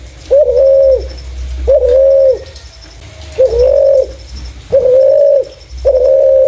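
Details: Lure call of a clear-voiced spotted dove: five low, level hooting notes with short pauses between them, the rhythm slightly uneven, over a faint high ticking in the background.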